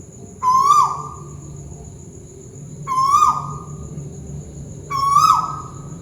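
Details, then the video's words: Tuwu bird in Malaysia calling from overhead: three clear whistled notes, each holding level, rising slightly, then sliding sharply down, with bright ringing overtones, spaced about every 2.3 seconds over a faint steady hum. "Burung tuwu malaisia lagi bunyi diatas"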